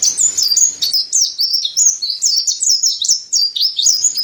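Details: Mountain white-eye masteran song: after a soft start, steady quick sequences of thin, high, downslurred whistles and chips, bright and chattering, repeated several times per second.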